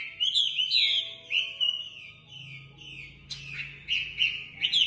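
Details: A Chinese hwamei sings a rich run of loud, varied whistled phrases, fluty slurs and quick warbles, with short breaks between bursts; a faint low hum underneath.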